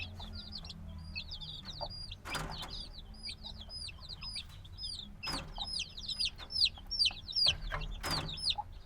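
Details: Newly hatched black chicks cheep in a crowd, high bent peeps at first sparse then thickening into a busy chorus, broken by a few sharp knocks and rustles.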